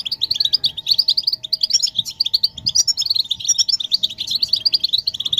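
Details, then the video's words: European goldfinches twittering together, mating and readiness calls intended to stimulate males to sing. Crisp, rapid, high notes are rattled out continuously, with faint higher tinkles and a low steady hum beneath. "بتبتة الحسون تحفيز الحسون على التغريد والهيجان علاج صمت الحسون goldfinch stimulation"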